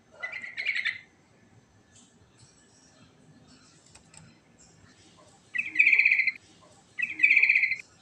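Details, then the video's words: Ngerol-style song of a sooty-headed bulbul, with a short chattering phrase at the start, then a quiet gap with faint distant chirps, followed by two loud, rich, bubbling phrases about one and a half seconds apart. "Suara Burung Trucukan Ngerol Isian Mewah"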